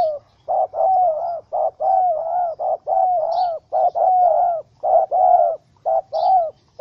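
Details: Wild spotted dove caught in a small rope trap and angry, 04/07/2017: a rapid, nearly continuous string of about eleven short-long coo pairs, low and slightly descending.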